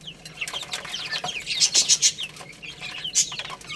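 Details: Baby chicks eating and playing, thin high peeps mixed with very shrill squeaky bursts and loud clicking pecks, the chatter rising and falling.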